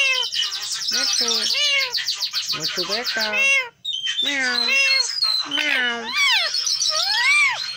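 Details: Pet green parrot talking nonstop in dense chattering phrases, clipped syllables and low croaky vowels, a brief silence near four seconds, then wide arching whistled words.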